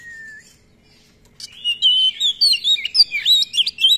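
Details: Oriental magpie-robin (kacer), a keen singer, in a song with long rolls and many filler phrases, used as a lure and tutor for other kacer: faint high whistle, pause, then rapid varied sweeping whistled notes and chirps.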